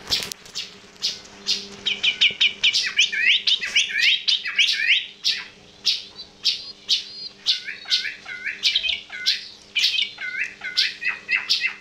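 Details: Yellow-vented bulbul making an unusual sound: sharp chirps repeated almost twice a second, mixed with quick wavering warbled phrases, with a steady low hum behind.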